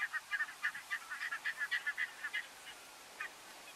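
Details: Taiga bean geese (Anser fabalis) at Uitkerkse Polder, Belgium, December 2022, giving a fast run of nasal honking calls, several each second, then fading to a few scattered honks.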